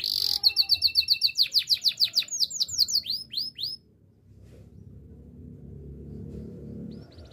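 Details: Canary singing for training other canaries: a burst of rapid high notes followed by a string of steeply falling whistled sweeps about three per second, then near silence with faint room noise.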